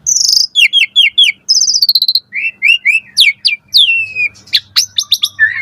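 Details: Asian pied starling singing in the morning as a training recording for caged starlings; a run of four falling whistled notes, a buzzy trill, three quick upslurs, then sharp descending calls and clicks.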